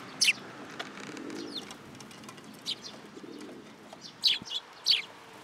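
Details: Several sparrows flock in to be fed at a Tenmangu shrine, 10 July 2022. Bright, high chirps come in short bursts, two of them doubled, with soft lower rustling and a faint thud between calls.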